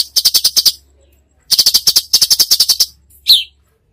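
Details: Gacor cucak cungkok giving tembakan bursts: two fast rattling trains of evenly spaced buzzy notes, then a single sharp down-slurred chip.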